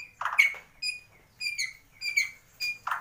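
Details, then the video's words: Captive Bornean white-rumped shama (murai batu gembung), said to be endemic to Kalimantan, Indonesia, singing with mimicked swiftlet, fighting house sparrow and lovebird calls: bright, squeaky, harmonic notes in short bursts, repeated roughly every half second in a quiet room. "MURAI BATU BORNEO / GEMBUNG ISIAN WALET ,GEREJA TARUNG ,LOVEBIRD"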